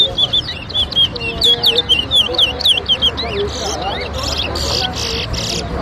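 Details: Towa towa whistling at a bird whistling competition at Better Hope bird ground, Guyana: a fast string of bright, looping whistled notes, several per second, then people talking and background noise.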